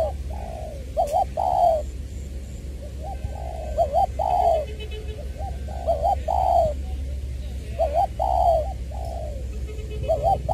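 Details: Decoy spotted dove from Trà Vinh, Long Đức, Vietnam, recorded 22 February 2021, with a voice style called "Chuẩn Giọng Tiểu"; mellow cooing phrases of short hooked notes and longer drawn, falling coos, repeated about every two seconds over a low hum.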